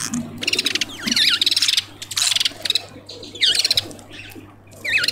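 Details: Southern red bishop visiting a tube feeder in a suburban Pretoria garden, South Africa; repeated bursts of sizzling, clicking chatter mixed with wavy, swooping whistled notes, about four bursts in quick succession.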